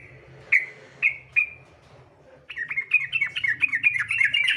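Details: Sooty-headed bulbul singing steadily as a lure to set other bulbuls singing: three spaced whistled notes, a short pause, then a rapid run of chirpy bubbling phrases, over a steady low hum.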